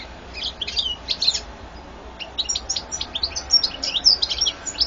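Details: European goldfinch in 2014, pouring out a fast, unbroken twittering song of crisp high chirps, tinkling trills and a few buzzy notes, the rhythm quickening in the second half.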